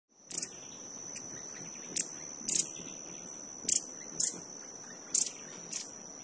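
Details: Violet-headed Hummingbird feeding and calling at Altos de Cerro Azul, Panama, giving short, sharp, high chips, about seven scattered over six seconds, above a steady thin high-pitched whine.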